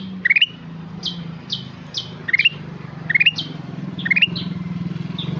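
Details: Black-capped bulbul singing: groups of quick rising chirps capped by a held whistle, interspersed with short descending whistles. A steady engine drone and traffic noise run underneath throughout.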